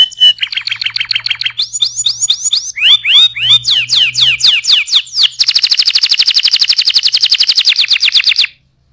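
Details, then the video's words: Tutoring song of a canary: varied tours of fast trills, changing from lower buzzy rolls to higher sweeping notes and chattering swoops, ending in a long, very rapid, loud trill that stops abruptly. "SUARA KENARI GACOR AMPUH UNTUK MASTERAN"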